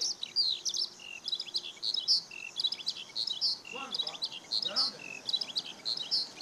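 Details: On a sunny day, 5 June 2013, at Okayama Airport's fourth parking lot in Japan, a skylark pours out high, fast chirps and buzzy trills, recorded with a Lumix DMC-FZ150; faint lower rising notes appear near the end.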